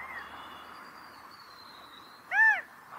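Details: California quail mating call: after a faint steady background hum, one loud, short arched note rises and falls quickly near the end, with a thin high tone drifting through most of the recording.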